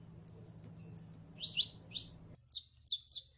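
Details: Female canary in heat calling a male: four short level whistles, then several sharp high chirps in pairs, over a low background hum.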